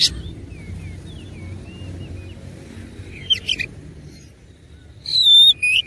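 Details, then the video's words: Oriental magpie-robin in fighting mood. Soft, thin whistled notes drift along at first. A sudden buzzy rattling burst follows midway, then loud, high, clear whistled notes near the end. "KACER ISIAN MEWAH NGOTOT GACOR TARUNG"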